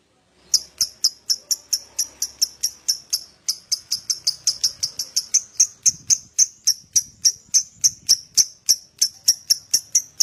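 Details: Lovebird in a prompting recording intended to make other lovebirds ngekek: a long, steady series of sharp, high, clicky chirps, about four per second, briefly interrupted once and then resuming at the same pace.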